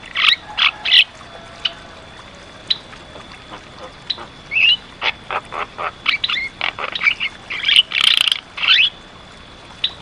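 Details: Black-winged starling in energetic song: loud harsh bursts at the start, scattered clicks and a short whistled slur, then dense chattering and raspy notes building toward the end.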